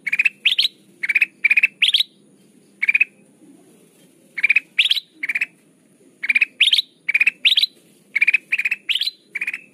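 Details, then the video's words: Golden bulbul (kutilang emas) used to lure birds for trapping: repeated chattering bursts of rapid pulses, some sweeping upward, in runs broken by short pauses. "Suara pikat kutilang emas gacor"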